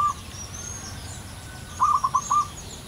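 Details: Singing wild zebra dove with a long, crystal-clear voice: one note at the start, then after a gap a brief cluster of five quick, soft cooing notes, with distant high bird chirps and low background hum.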